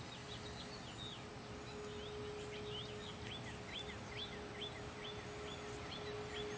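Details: Scaly-breasted munia (Lonchura punctulata), call.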